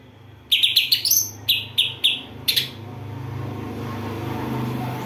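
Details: Greater green leafbird with a song filled with house sparrow and kapas tembak mimicry, giving a run of separate sharp chirps and short stuttered notes over a steady low hum.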